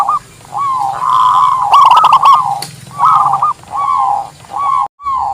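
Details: Local zebra dove song meant for luring and as a training master: soft, rising-falling cooed phrases in separated groups, with brief rattling bursts mid-clip and a short dropout near the end.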